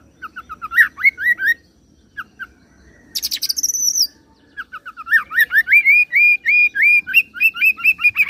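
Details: Oriental magpie-robin singing a roll of cililin imitation joined to serindit: varied whistled upslurs, a high buzzy rattle, then a long rapid run of repeated rising whistles at about four per second.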